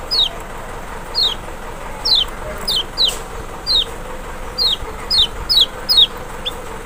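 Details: Lemon-bellied white-eye of Lombok or Sumbawa, sung to stir a reluctant bird into answering: a steady series of about ten high, sharp notes falling in pitch, spaced half a second to a second apart, over faint background noise.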